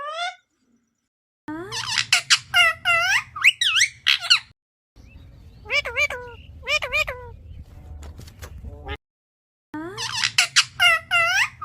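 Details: Talking parrot repeating "Radhe Radhe" and "Mithu Mithu", described as a bhajan singer. Rapid clusters of squeaky, sliding, voice-like syllables come in three groups, over a low rumbling background hum.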